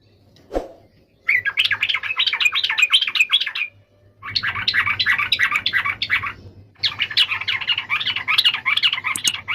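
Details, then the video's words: Yellow-vented bulbul pouring out three long, dense bouts of chattering, bubbly notes separated by brief pauses, with a faint low hum underneath. "SUARA BURUNG TRUCUKAN"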